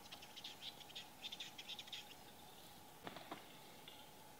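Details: Western capercaillie at a lek in Salla, Lapland, Finland, in 2021 displays with dry, rapid clicks in bursts for two seconds, then two sharp popping notes, over a faint steady hum.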